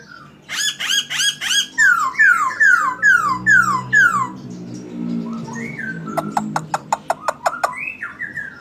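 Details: Actively singing Chinese hwamei with magpie-robin mimicry in its song. It gives rapid bursts of repeated harmonic notes, then a run of six loud descending slurred whistles, then varied upswept whistles and sharp clicking ticks, about two notes a second.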